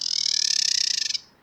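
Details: A female Carolina wren gives her chatter, a harsh, buzzy rattle of about forty clicks a second lasting just over a second, then stopping abruptly; used to warn off other females, or to tell an aggressive male she is no threat.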